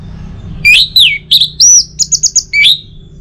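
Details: Orange-headed thrush song for morning playback to prompt singing: a quick phrase of slurred whistles, one clear sustained note, then four rapid repeated chips and a final falling whistle.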